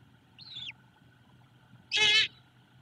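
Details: Great horned owlet on an evening nest, greeting its returning mother: a thin, down-slurred high note, then after a pause a louder, rougher buzzy cheep, over steady low hum.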